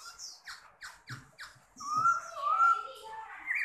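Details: Caged, large-bodied Chinese hwamei with a fanned tail sings a run of quick descending chirps, then long rich whistled phrases around the middle pitch range, with low human voices briefly audible underneath.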